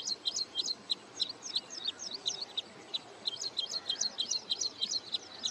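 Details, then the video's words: At Hoskote Lake near Bangalore, Karnataka, a wintering wood sandpiper nearing return migration gives a long series of piercing high single-note calls, quick and slightly uneven, with softer high chirps woven around them. "Wood Sandpiper Calling and Singing"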